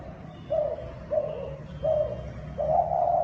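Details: Thai spotted dove giving four steady, mid-pitched coos roughly every 0.6 seconds, the last one longer and louder, against a faint low rumble.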